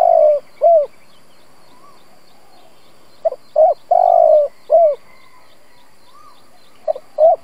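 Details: Spotted dove decoy cooing to provoke other doves; low mellow phrases with short notes around a long sustained coo, repeated about every three seconds, with faint thin whistles of another bird between them.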